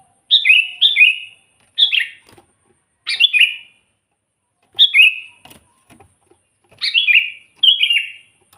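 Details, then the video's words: Energetic sooty-headed bulbul song used for luring wild bulbuls: about seven short, fluty, descending phrases come in quick bursts of one or two, separated by brief gaps, in otherwise quiet surroundings. "suara burung kutilang gacor full buat pancingan kutilang pikat"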